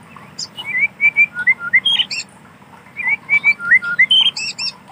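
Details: White-rumped shama in wild forest singing two bursts of varied whistled notes, short level and sliding tones about a second apart in each burst, with a low background hum.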